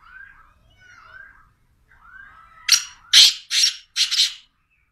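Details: Black francolin (kala teetar) giving its call: a few soft, thin whistled notes first, then four loud, harsh, buzzy rasping bursts in a rapid series, each roughly a third of a second long.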